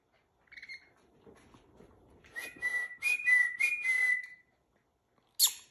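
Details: Hand-tamed rainbow lorikeet in training whistles a short, bright phrase of about five quick alternating high notes after soft rustling and a faint earlier chirp, ending with a sharp click while its trainer calls it over.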